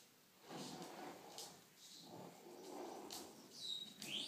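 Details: A rescue foster cockatoo, getting a bit aggressive while playing on the floor, gives harsh, raspy grumbling bursts about once a second, ending in a couple of brief thin whistles.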